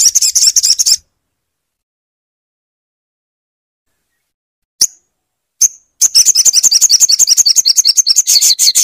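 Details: Crimson sunbird, called sogon, recorded as a masteran to stimulate a non-singing caged bird: a fast high twittering trill breaks off, two lone sharp chips follow after a pause, then an even quicker rattling trill resumes.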